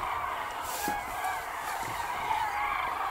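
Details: Common cranes calling on migration in Hungary; a continuous chorus of overlapping trumpeting calls from a distant flock, with steady background noise.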